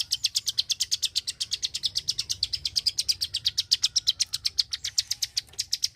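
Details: Rapid, sharp, high-pitched clicking from a Klik-klik bird, evenly spaced and unbroken for six seconds, over a faint low hum.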